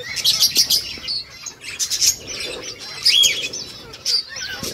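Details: A group of peach-faced lovebirds chattering: sharp, shrill high-pitched chirps in quick clusters, some rising squeaks, continuing without pause.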